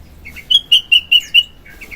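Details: {'text': 'Sooty-headed bulbul in active morning song, used as lure and filler material. A quick sequence of five loud, ringing whistled notes, evenly spaced and slightly slurred, sits between softer introductory and closing notes.'}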